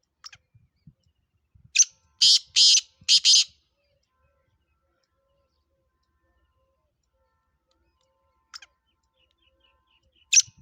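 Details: Black francolin of the Sindhi, Pure Gangas Nasal, Chakri Wala and Speeder kala teetar strains, offered for sale: harsh, grating rasping notes, one then a tight group of three, separated by long silences.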